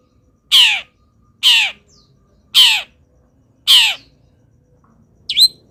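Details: Local long-tailed shrike singing actively despite moulting, its song filled with mimicry of wild birds; four loud harsh rasping notes sweeping downward, about one per second, then a short high whistled upslur at the end.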